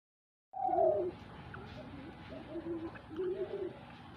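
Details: Dove in a hunting setting giving a loud low hollow coo, followed by softer repeated coos against a faint hum.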